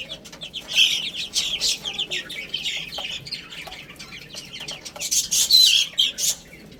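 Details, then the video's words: Little chicks peeping while they eat and play, sharp high chirps in clusters, quieter in the middle and swelling to a lively burst near the end. "Cute Little Chicks Chirping Sounds"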